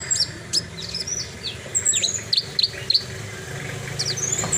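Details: Horsfield's bush lark singing vigorously: sharp high whistled chirps and downslurred notes, a quick cluster of four near the middle, then thin high trills, over a low steady hum.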